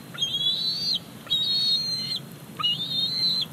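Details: Eaglet of a bald eagle pair at Big Bear Lake begging as the mother arrives with a fish on 28 July 2019: three drawn-out, high squealing whistles, each sliding up then flat, spaced about a second apart.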